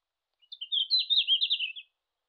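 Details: Wild red-flanked bluetail singing in Japan in June: a short, high warbled phrase of about a second and a half, quick wavering notes run together and gently falling at the end, on a silent background.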